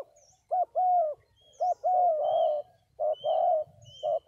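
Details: Decoy spotted doves, a pair, cooing in deep mellow phrases: a clipped note, then a drawn-out falling coo, looping about once a second, while thin high whistles from other birds sound faintly in the background.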